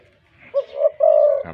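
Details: Professional decoy spotted dove with a big voice, caged. One clear phrase of two short coos leading into a sustained rolling coo, followed by a brief click.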